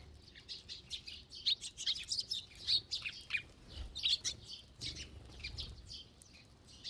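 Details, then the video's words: A large flock of sparrows feeding together at a feeding spot. Dense, overlapping high chirps and tweets in irregular bursts, some louder ones close by, with a faint low rumble underneath. "참새들의 합창"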